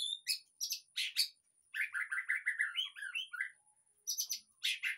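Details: White-rumped shama song played to coax a quiet caged bird into singing: sharp high clicking notes, then a fluid rippling series of whistled notes, followed again by crisp, high repeated strokes.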